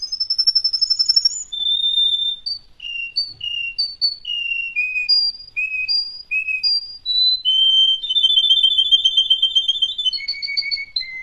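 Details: Russian canary singing a sequence of clear whistled notes, short repeated tones at shifting pitches, then a long buzzy-trilled held note and a falling finish; quiet, clean background.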